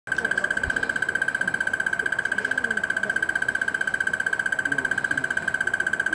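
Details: A crested barbet at Oliphants Camp, Kruger National Park, South Africa, on 31 August 2013, gives a long, even trill of rapid pulses on one steady mid pitch, unbroken like an alarm clock, over a faint low background murmur.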